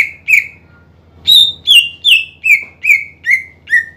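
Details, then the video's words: Greater green leafbird singing to stir rival birds into song, giving two opening whistles, a pause, then a rapid descending series of seven sharp, ringing whistled notes at a steady pace. "PANCINGAN CUCAK IJO GACOR MEMANCING EMOSI LAWAN AGAR RAJIN BUNYI"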